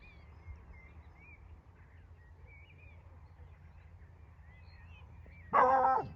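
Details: On a summer solstice evening (21 June 2023, about 8.30–9.15 pm), a hunting barn owl gives a single loud, harsh screech of about half a second near the end, after faint high chirps from small birds over a quiet background.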